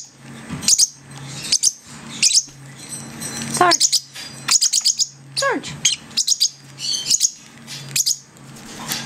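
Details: Six-week-old baby lovebirds, learning to feed themselves alongside a parrotlet, chatter in quick bursts of shrill, high chirps broken by a couple of falling squeals, over a steady low indoor hum.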